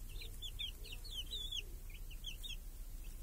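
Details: Chicks peeping close by as they feed with hens under a protective cage in a village on a clear summer day. Loud, sliding high cheeps come in clustered groups with short gaps, over a soft low drone.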